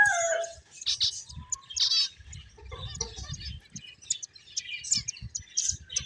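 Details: Finches chirping while playing: dense, overlapping high chirps and short twittering notes from several birds, with soft low thumps and rustles underneath.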